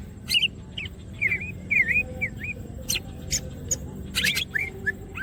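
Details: Greater green leafbird in gacor song with wings open: paired downslurred whistles repeated at a steady pace, with scattered sharp clicks and a short dense burst of chatter.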